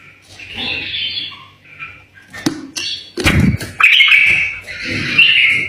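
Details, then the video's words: Tame bulbul singing, used to encourage other bulbuls to sing: bright warbled phrases in short bursts with brief gaps, a sharp ringing note near the end, and several low thuds and knocks underneath. "تغريد بلبل أليف التحفيز البلابل علئ تغريد"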